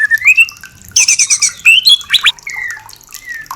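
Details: Song of the white-rumped shama used to bring a caged bird into breeding mood: a rising whistle, a harsh chattering burst, then varied slurred whistles and sharp downward notes.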